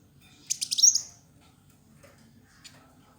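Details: Kolibri wulung sunbird, a fighter-type bird in energetic song, used as a master tutor: one quick burst of shrill, rapidly stuttered high notes sweeping into a thin sharp whistle, followed by a single faint chip over low background hum.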